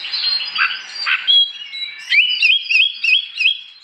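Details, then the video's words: Oriental magpie-robin singing in the morning in ngeplong style to provoke other magpie-robins; blurred high notes at first, then a clear whistle and a series of rising, repeated slurred phrases about three per second, with background hiss. "Burung kacer gacor pagi hari, bikin emosi kacer lain supaya ikut bunyi.."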